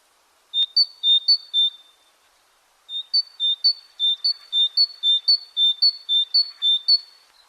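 A great tit sings clear two-note phrases, high then lower, repeated rapidly in a steady see-saw rhythm, with a short pause before the series resumes.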